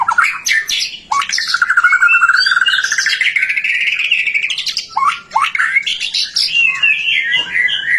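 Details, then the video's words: White-rumped shama song, meant to get other shamas singing: sharp whistles, then a long buzzy trill gradually rising in pitch, followed by a pause and varied warbling and whistled phrases. "Suara murai batu gacor AMPUH buat PANCINGAN murai batu agar BUNYI"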